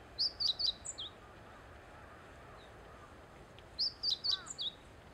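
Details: Meadow bunting (Emberiza cioides) singing by the Teganuma lakeside promenade: two short, rapid phrases of high, sharp chips and twittering notes, about three seconds apart, over faint background hiss.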